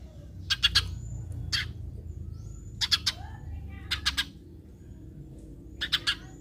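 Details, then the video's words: Eurasian tree sparrow chirping as a lure so other sparrows join in: harsh chirps in quick groups of two or three, repeated about every second or so, with faint thin whistles in between. "Pancingan Gereja agar burung gereja lain ikutan bunyi"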